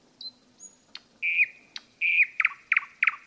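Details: Common nightingale singing in a forest: pure whistled notes, then loud drawn-out whistles near one pitch, followed by a series of sharp, rapidly repeated chopping notes; no other sounds.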